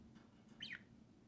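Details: Two pet budgerigars out of their cage, playing, chirping and talking; a single short, bright chirp sweeps downward midway, over a faint low background hum.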